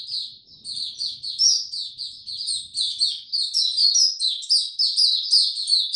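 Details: Rapid high twittering from a white-eye, 26 March 2022, on a warm, very humid day. Quick slurred chirps, several per second, build in loudness and flow without gaps.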